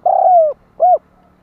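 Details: Spotted dove coo for luring wild birds: a long, mellow, low coo easing downward in pitch, a short pause, then a brief rounded coo, with a faint steady hum underneath.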